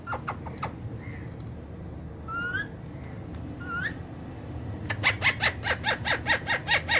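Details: Pet ringneck parrot uttering Urdu/Hindi words: scattered clicks and two upswept whistles, then a loud rhythmic burst of about nine harsh chirps, each quickly repeated, with faint room hum.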